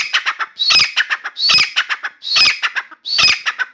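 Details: Captive grey francolin known as Dakhni teetar, singing inside a room; four loud rasping, ringing phrases, each a strong high note followed by quicker softer syllables, roughly every 0.8 seconds.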